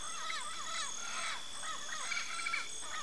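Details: Yellow-faced parrot from Brazil giving rapid, repeated chattering notes that rise and fall in quick succession, with a constant high hum behind.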